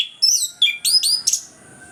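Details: Rich orange-headed thrush phrase on a lure recording for birds that will not sing: several rapid high whistles with sweeping slurs, ending in a harsher buzzy note.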